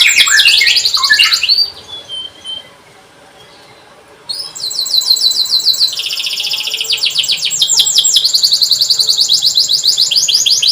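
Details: Canary, a lure recording meant to prompt young birds to learn singing: bright high trills and rapid repeated chirps, broken by a near-silent pause of about two seconds before fast rolling trills resume.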